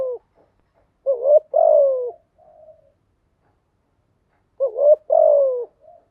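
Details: Decoy cooing of a spotted dove, played to prompt newly caught birds to sing. It gives two phrases of a quick two-part coo and then a drawn-out, gently descending hoot, with a soft trailing note after each phrase. The background is otherwise quiet.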